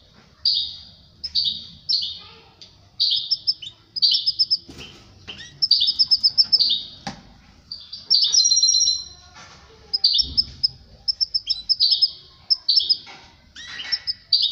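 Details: Canary singing with its female in connection with mating. Bursts of high, rolling trills and chirps are separated by brief pauses, with soft cage rustles and clicks underneath.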